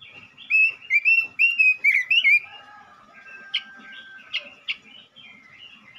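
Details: Singing male robin, used to stimulate other robins: a lively burst of clear, warbled whistled notes in quick succession, then a quieter stretch with scattered sharp chips and a faint thin whistle.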